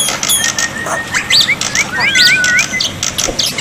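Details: Black-winged myna song played to get silent birds to answer, with a water-like background: a level whistle leads into several short looping, rising whistled phrases, with some higher sharp notes mixed in.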